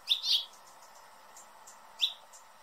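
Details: Hummingbird giving sharp, high chip calls: a quick doubled burst of squeaky notes at the start, then a single bright chip about two seconds later, over a quiet background.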